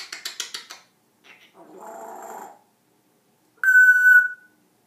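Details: Pet African grey parrot talking and making funny noises: quick stuttering pulses, a buzzy muttering sound like speech, then one steady, clear, level whistle.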